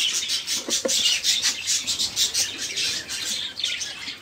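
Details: Lively budgerigar chatter used to stimulate caged songbirds to sing; dense overlapping raspy warbles, steady and unbroken throughout.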